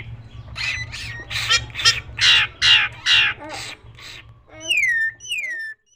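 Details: Nias hill myna, tame and actively singing, used to stimulate other birds: harsh, grating, loud bursts repeated about twice a second, then two clear downward-sliding whistles.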